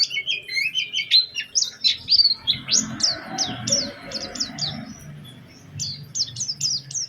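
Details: White-eye in a lure recording meant to set other white-eyes singing, a lively song with special phrasing: rapid high chirps and short downslurred notes in quick bursts, over a faint low hum.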